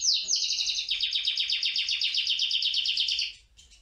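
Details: Male canary song aimed at courting the female, opening with a sharp high note and rolling into a fast, even trill of pulsed notes about four per second that stops abruptly near the end.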